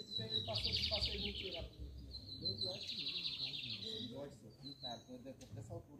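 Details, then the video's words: Lined seedeater song in the torneado comparison: two high whistled notes each breaking into a rapid rattling trill, partly masked by loud broadband noise, low thuds and a man talking. "O SENSACIONAL BIGODINHO VS TORNEADOS!"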